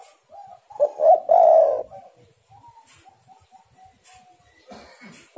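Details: Spotted dove in vigorous song, played as a lure for other doves: a low, hollow coo phrase of short notes ending in a drawn-out coo, followed by fainter thin whistles and small clicks.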